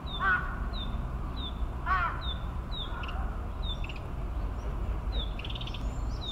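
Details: Narcissus flycatcher singing at Maruyama Park, Sapporo, Hokkaido, on 17 May 2017: short, high, down-slurred whistled notes about once a second, with a buzzy trill near the end; a crow caws twice over a steady low rumble.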